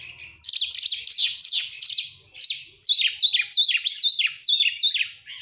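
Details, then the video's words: Oriental magpie-robin song used to draw other birds into song: rough buzzy phrases followed by a rhythmic series of repeated scratchy downslurred notes, several each second. "buat pancingan Kacer sangat top buat burung mewah"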